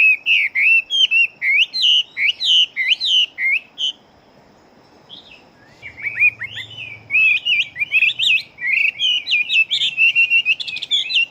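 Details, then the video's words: Big-bodied fighting Chinese hwamei in rapid song: a fast stream of bright whistled notes, a pause of about two seconds, then a denser burst of quick warbled and trilled phrases. "Họa Mi Chiến Siêu Mau Mỏ Bộ To Hót Tốt Mẫu Gột Chiến."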